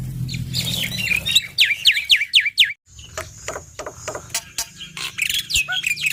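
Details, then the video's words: Black-winged myna male in full varied song meant to rouse other mynas: rapid mix of squeaky chirps, sharp downward-sweeping whistles and clicks, a brief pause, then scattered clicks and high chirps resume over a low hum. "Masteran Semua Jenis Burung Jalak - Jalak Putih Super Gacor Full Isian Mental Baja Suara Keras"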